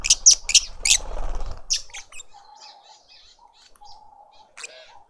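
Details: In a South African garden in Pretoria, adult lovebirds feed a juvenile. A quick series of four shrill squawks comes with fluttering, followed by quieter, sparse chips and a faint steady hum.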